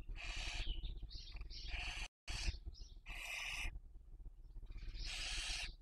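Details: Nest-webcam Barn owl in Spain's Cabañeros National Park, 2023 breeding season, raising young; repeated loud rasping hisses, each under a second, with softer wheezy notes between and a brief dropout of sound.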